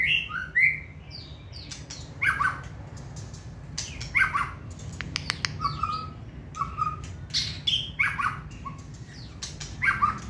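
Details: White-rumped shama held in a cage for competition, giving spaced whistled and slurred notes with short pauses between phrases, among light clicking sounds.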